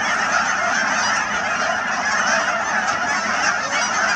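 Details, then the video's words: Dense honking of a vast Canada goose flock on the Cheam Wetlands near Chilliwack, BC, countless overlapping calls forming an even, continuous clamour. "Canada Geese at Cheam Wetlands"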